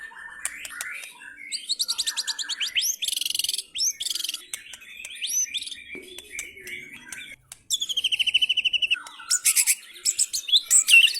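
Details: White-rumped shama (F3) singing rough 'materi kasar' material: rapid trilled rattles, buzzy high phrases and short swept whistles, broken by brief pauses, with a fast regular trill returning near the end.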